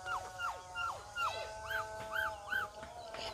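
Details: A talking common myna that imitates human speech gives clear, whimpering notes: four quick falling slurs, then three rising-and-falling arched notes, about three per second, with faint background hiss.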